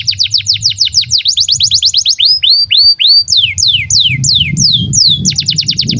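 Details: Canary in breeding condition, used to teach young birds: rapid descending trills alternating with slower arched whistled notes and falling sweeps, over a low rumbling background.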